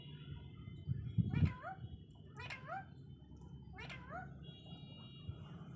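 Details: Parrot talking in three swooping, wavering utterances about one and a half seconds apart, with a few low thumps near the start over a low hum.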